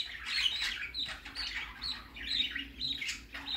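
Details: Budgerigar chick on its first outing, giving repeated scratchy chirps and short squawks in bursts, roughly one every half second.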